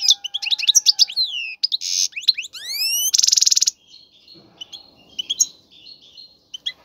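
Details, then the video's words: Caged male European goldfinch singing strongly to stimulate a female to mate and build a nest: rapid twittering notes, buzzy harsh bursts, and a run of rising whistled glides, then softer twittering phrases. "مقنين يغرد بقوة💪, سوف يجبر انثى الحسون🐦 على التزاوج👫"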